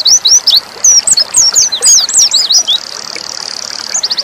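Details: Pleci dakun, the Oriental white-eye, singing nembak: a tumbling burst of sharp, looping high whistles for nearly three seconds, then a softer steady buzz ending in a few quick repeated notes.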